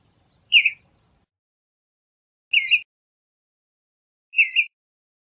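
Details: Western bluebird uttering three short, husky two-part chirps spaced about two seconds apart in otherwise quiet surroundings.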